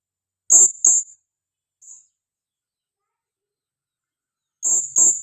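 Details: Female blue-crowned hanging parrot, a lure bird calling vigorously: two pairs of sharp, shrill, very high notes in quick succession, a softer single note between them, with light low knocks alongside.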